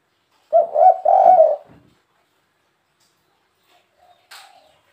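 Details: Spotted dove giving a 'kuk 3' style call, used to attract wild birds. One short burst of three husky coos, followed by silence and a faint distant note near the end.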